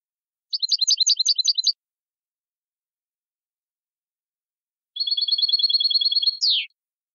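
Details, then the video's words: European goldfinch singing in the clean 'limpio' style, from a 2020 song collection: a rapid high jingling trill of about a second, a pause of over three seconds, then a longer even buzzy trill ending in a sharp downward slur. No other sounds. "CD jilguero limpio 2020"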